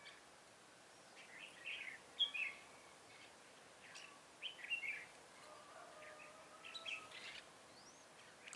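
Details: Decoy red-whiskered bulbul at a trap, 7 January 2018: scattered short chirpy, whistled phrases every second or so, one thin rising note near the end, quiet outdoor background with a man's voice nearby.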